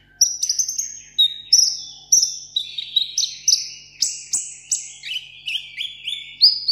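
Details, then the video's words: A seven-coloured sunbird, kept caged as a table bird, singing solo for contest: steady high chips and short slurred whistles that step up and down in pitch. "hút mật 7 màu hót đấu solo"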